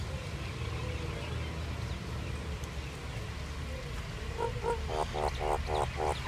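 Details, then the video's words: A common myna gives a quick run of harsh, honking, mid-pitched notes, about four a second, over a steady low rumble of background noise. "Common myna bird song Indian myna sound | mynah singing"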